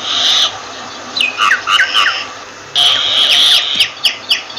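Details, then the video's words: Harsh, hissing rasp from a myna, then a handful of bent whistles and chirps, another long grating screech, and closing with sharp, clipped notes repeated roughly every half second. "Myna Bird sound Voice"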